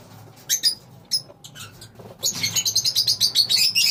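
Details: A colony of lovebirds: a few scattered high squeaks at first, then a fast, continuous run of shrill chirping chatter, about three notes a second, growing louder toward the end.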